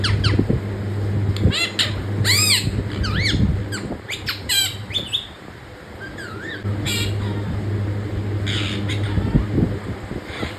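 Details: Pet parrot calling in clusters of harsh squawks and wavering chirps, with a quieter stretch midway, against a persistent low hum and faint background noise.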